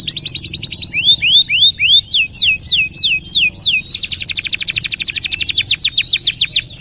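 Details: A canary sings a long song, a master recording for tutoring other birds: a fast trill, a run of rising swept whistles, then a long, dense, rapid roll of repeated notes.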